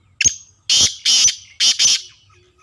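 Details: Harsh call of a Black francolin, kala tetar, from a pure Sheedi breeding line: a short sharp opening note followed by two pairs of rasping, grating notes, all loud and close, with little background noise.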